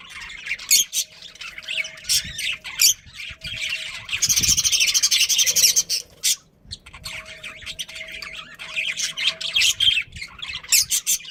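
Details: Pet budgies in a long run of rapid chirps, squawks and scratchy warbles, with a loud burst of dense chatter in the middle and a faint steady hum underneath.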